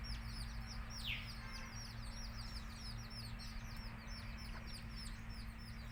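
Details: Country chicks chirp in a thick chorus of rapid, high falling peeps, one loud swooping note near the first second, with low humming noise throughout.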